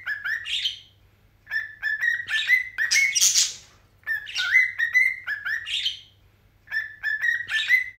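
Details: A newly arrived zebra finch chick, on its first day home on 15 December, meets the older pet birds and calls in bursts of short, nasal, rising, repeated chirps with harsher buzzy notes between, pausing every couple of seconds.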